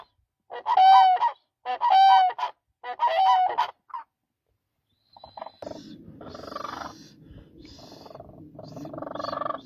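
Demoiselle crane giving three loud, rolling trumpeted calls about a second apart, followed by a low, murmuring rumble of background noise.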